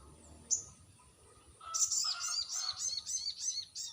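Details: Crested jay lure call: one sharp high note, then a fast, rhythmic series of about eight buzzy, high notes with lower harmonics, steady and evenly spaced, over a faint continuous high whine.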